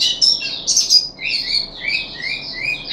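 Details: Puff-backed bulbul kept in a cage, third day on dewormer, 14 July 2021: a short, varied warble of sliding, whistled notes, some rising and some falling, in a loose and uneven rhythm.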